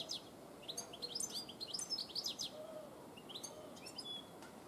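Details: European goldfinch song, 1 June 2017: rapid high tinkling twitters and trills in bursts, some scratchy notes, interspersed with faint lower whistled phrases against a constant low noise.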